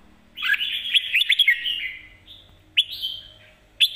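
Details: Red-whiskered bulbul sings a fast mae bot sap krajai master-style phrase of tumbling whistled notes, followed by two single rising whistles spaced about a second apart in a quiet setting.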